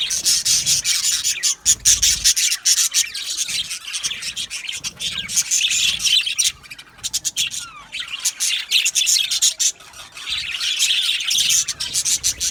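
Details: Colony of Australian budgies chirping and singing in an aviary, producing a continuous high chattering warble with many overlapping voices and brief dips in volume throughout.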